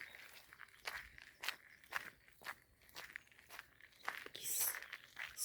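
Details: Footsteps crunch along outdoors at an uneven pace, with light rustling and no animal calls.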